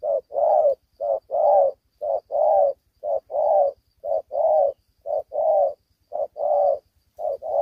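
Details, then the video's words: Young spotted dove without full neck spots, caged and fighting fiercely in Vietnam: a rapid, regular series of short coo followed by long coo, about one pair per second, over a faint low hum. "Đồng tơ chưa đủ cườm đấu quá hăng"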